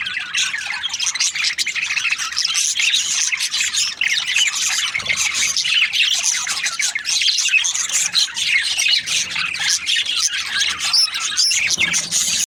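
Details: Many budgies chattering together during breeding season, an unbroken wall of high, rasping chirps and squawky twitters from numerous birds at once.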